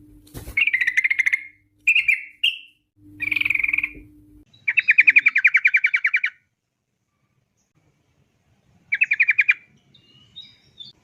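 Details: Sooty-headed bulbul long rapid 'ropel' song, played as a lure so that bulbuls start singing. Bursts of chattering notes, then a long, rapid, even trill of about a dozen repeated notes, and a shorter trill later. A low hum at the start.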